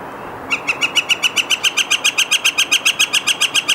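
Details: Northern flicker giving a long, steady run of loud, sharp, clipped notes at about four per second, each note the same. The run starts after half a second of quiet and continues to the end.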